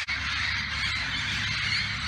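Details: A wild flock of parrots in a eucalyptus tree in Southern California, their overlapping high screeching calls merging into a dense, continuous chatter, with a low rumble underneath.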